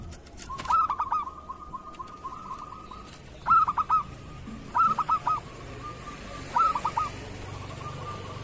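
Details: Zebra dove of a local Indonesian strain, used as a tutor for other doves. A long soft trilling run, then three loud clipped phrases of four or five rapid coo notes, spaced about one and a half seconds apart.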